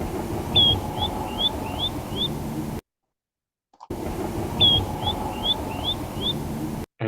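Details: A Spotted Sandpiper, a wetland bird, flies over a house at night on migration, recorded by a rooftop microphone. It gives a quick run of five high, thin whistled notes, the first strongest, heard twice over a steady low rumble.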